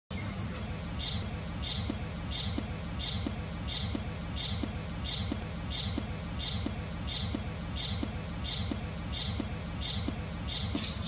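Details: A glittering-bellied emerald sings, repeating a short, very high, thin buzzy note about every two-thirds of a second over a steady high hiss and low rumble.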